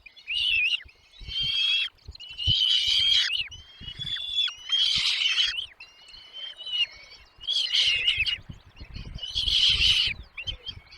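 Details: Young birds in the nest begging while the mother and father feed them: rhythmic bursts of raspy, shrill calling about every one to two seconds over eleven seconds, with faint rustling.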